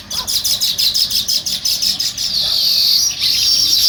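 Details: Sparrow chirping on a morning outdoors: fast, rhythmic high chirps repeated about six times a second, then blending into a continuous bright chatter.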